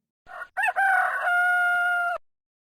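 A rooster crows: a short opening note, then a loud, brassy cock-a-doodle-doo ending in a long, level, drawn-out final note. No other sounds.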